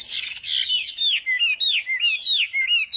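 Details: Chinese hwamei at morning singing practice: a clear, loud string of looping whistled phrases, each sliding down then up, repeated roughly every third of a second with brief gaps.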